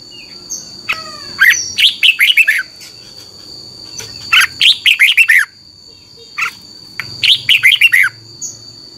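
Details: Red-whiskered bulbul singing for caged birds to learn from. Quick chains of bright descending whistles come in three phrases with single short notes between them, and a constant thin electronic-like tone sounds throughout.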